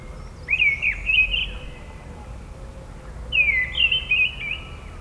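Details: Mistle thrush singing in a forest near Neuchâtel on a spring-like morning: two short, fluting, blackbird-like phrases about three seconds apart at much the same pitch, melancholy and monotonous, over quiet hiss.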